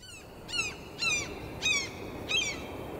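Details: Seagull calling: four loud, ringing, downward-slurred cries about every half second over a steady rushing background.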